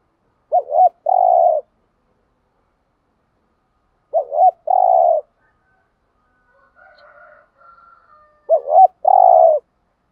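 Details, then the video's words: A decoy spotted dove used to stimulate other doves gives thúc gù coos: three identical phrases of a quick wavering note and a long even coo, about four seconds apart, with faint soft chatter between. "thuc gu tho pha cu moi tho pha gu thuc gay goi"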